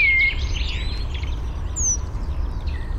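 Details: Penduline tit bringing nest material to a ring-shaped nest high in a birch, Fysingen, Uppland, Sweden, parabolic microphone: one thin, high, down-slurred whistle midway, amid other birds' chirps and a low wind roar.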